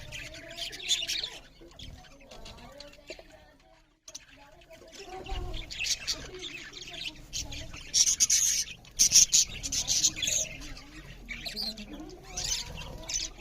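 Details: Budgerigars chirp loudly while eating; high buzzy warbling comes in bursts, pauses briefly near the fourth second, then resumes as dense, excited chatter with sharp squeaky notes.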